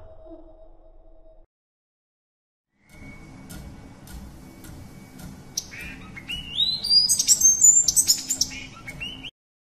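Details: Blue-capped cordon-bleu singing while rapidly tapping its feet on a branch to attract a partner, a display used by both males and females; high thin rising notes and twittering build after a quiet start, with faint clicks and a steady low hum.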